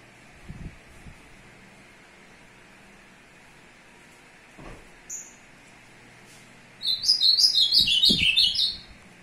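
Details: A male ultramarine grosbeak, stimulating a female on 2 June 2022, delivers a rich, rapid two-second warble of high notes that slide downward, after a quiet stretch with a steady background hum and a few soft knocks.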